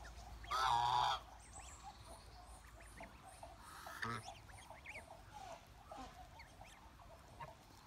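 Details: Domestic Chinese goose giving one strong honk early on, about half a second long, followed by softer, scattered short notes and murmuring flock chatter.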